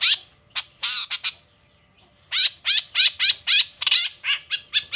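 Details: Long-tailed shrike singing energetically in the morning, showing off its repertoire: a few harsh buzzy bursts, a pause, then a fast run of about ten loud rasping chattering notes in quick succession.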